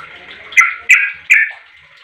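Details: Sooty-headed bulbul calling so that other bulbuls answer: three bright, clipped chirps spaced roughly a third of a second apart, then quiet softer notes over a level background hum.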